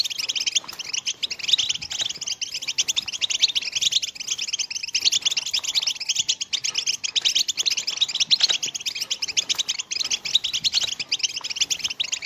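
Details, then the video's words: European goldfinch, betbeta, tastasa and wrestling song styles for stimulating late females to breed: a long, unbroken, energetic high twitter of quick buzzy and tinkling notes, steady in loudness throughout. "أقوى بتبتة وتستسة ومصارعة الحسون على للقاح الإناث المتأخرين وتحفيز كافية لجعل حسونك يرقص ويغرد"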